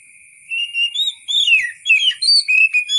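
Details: Oriental magpie-robin song, natural-sounding and meant for tutoring caged songbirds: a clear, fast phrase of rising and falling whistles, about eight notes in three seconds, with a continuous high tone underneath.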